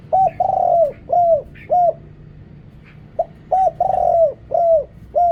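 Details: Rich, low cooing from a Thai decoy spotted dove used to call wild doves: short rounded notes and one longer drawn coo, each dropping slightly at the end, repeated in two close phrases.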